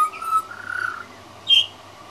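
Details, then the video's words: Juvenile pied butcherbird, a regular visitor, practising its singing: a clear fluted whistle, then a wavering slurred note, and after a pause a short, much higher whistle. The background is quiet. "Young Pied Butcherbird Singing"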